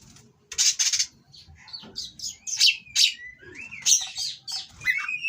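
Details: Caged breeding-condition Oriental magpie-robin delivering harsh song aimed at provoking rival birds: raspy bursts mixed with bright whistled notes and long downslurred whistles, with faint low rumbling in the background.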